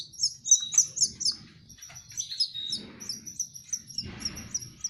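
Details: Canary chicks during hand-feeding give rapid, high, thin chirps in quick runs, each note a short rising-falling squeak, about four per second with brief pauses, over a low background hum.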